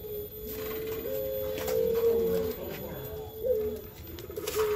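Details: Barbary dove of the "pelung" type gives a long, low, drawn-out coo that holds one pitch with small wavering rises, heard against a faint indoor background.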